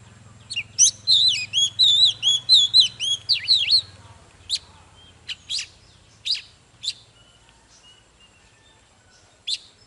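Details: An Oriental magpie-robin singing hard and displaying, its song used to excite other birds. It opens with four seconds of looping, wavering whistled phrases, then gives scattered sharp chip notes before falling quiet.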